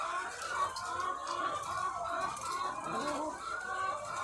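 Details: Thousands of farm hens kept for eggs produce a steady blur of soft clucking and chattering calls, with faint scattered clicks in the background.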